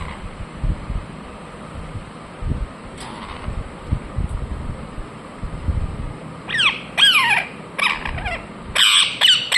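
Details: Ringneck parakeet calling after a quiet stretch of low background rumble: loud harsh downslurred squawks arrive in a quick run near the end, several in close succession.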